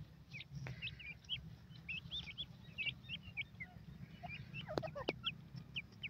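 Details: Grey francolin chicks chirping busily in many quick, high, hooked peeps, often two or three close together, over steady low background rumble and a few sharp clicks.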